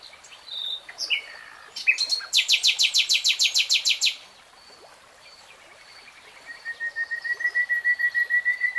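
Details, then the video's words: Nightingale song: a few clipped whistles, then a loud buzzy trill of rapid repeated notes, a quiet gap, and a long series of pure whistled notes swelling steadily louder. "BEST NIGHTINGALE SONG 3 Hours REALTIME Nightingale Singing"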